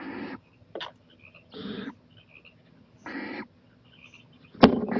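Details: Owl at night, 11:26 pm on 23 April 2018, venturing onto a porch: three harsh, hissing screeches about a third of a second each, spaced roughly 1.5 seconds apart, with faint chirps between and a sharp click near the end.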